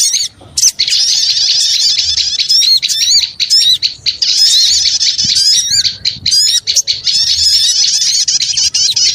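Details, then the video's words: Small birds in a noisy lure recording, shrill rapid chirps and squeaky rising whistles packed into long busy runs, separated by a few brief pauses, with sharp clicks scattered through. "Suara Pikat Burung Kecil Ribut Ampuh"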